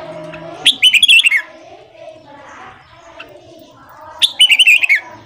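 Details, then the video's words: A red-whiskered bulbul's morning song, played to train newly caught bulbuls: two lively phrases of quick, bubbly notes stepping downward, roughly three seconds apart, with soft low background sound between them. "Luyện Giọng Chào Mào Hót Sáng Kích Chào Mào Bổi"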